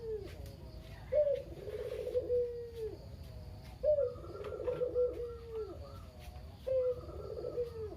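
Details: Captive local Barbary dove (kugeru), the surviving bird of a pair after the female died, very talkative and used to coax other doves into calling; three rolling coos, each a sharp start, a rippling middle and a long falling tail, roughly every three seconds.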